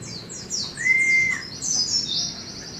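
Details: High, thin white-eye twitters from Indonesia, labelled 'setan timur', over a steady lower whistled note from another sound source.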